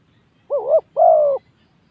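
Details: Spotted dove calling from a ground decoy arena. It gives one phrase: a wavering, double-humped coo, then a longer, steady, slightly falling hoot, over faint low background noise.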